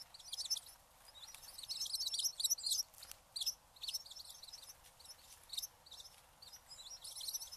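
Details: Eurasian tree sparrow chattering: dense, high, rapid chirps building to a busy burst in the middle, then sparser tweets toward the end.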